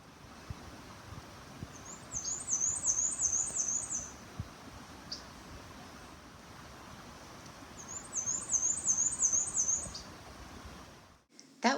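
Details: Male Black-and-white Warbler singing twice on the lower-elevation Rhododendron loop among hemlocks and giant rhododendron, Manchester Cedar Swamp Preserve, New Hampshire: a thin, very high squeaky wee-see wee-see series lasting about two seconds, over the steady rush of a brook.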